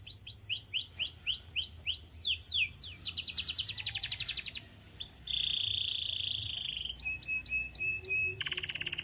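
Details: Varied canary song intended to make other canaries sing: rolling repeated downslurs, a dense rapid buzzy trill, a drawn-out steady whistle, then clipped repeated notes and a final high buzz.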